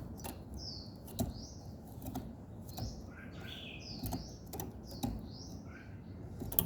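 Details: Morning birdsong made of high, thin whistled notes, each slurring downward, given every second or so with a few lower twittering notes. Sharp clicks and taps are heard throughout.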